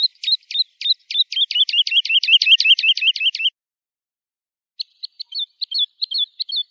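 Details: Lark singing, recorded for teaching young birds: a rapid run of clipped metallic chirps building in loudness for several seconds, a pause, then softer scattered short notes.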